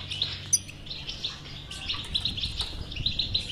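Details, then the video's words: European goldfinch batbata aimed at a silent goldfinch: brief stretch of soft, quick high chirps and twitters, with one sharper note near the start, over low hum. "اذا لديك مشكله في حسونك انو لا يغرد لا تخاف هذه البتبته الحل وعلاج الحسون الصامت بتبته"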